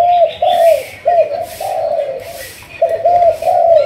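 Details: Spotted dove from Malaysia in decoy training, thúc gù line, giving loud, closely run-together coos, several long sustained ones, over a faint pulsing background.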